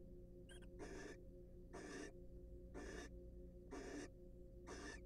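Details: Wild barn owls in a monitored nest box, preening each other during courtship; broadband hissing snore-like calls about 0.3 seconds long, repeated roughly once a second, over a steady low electrical hum.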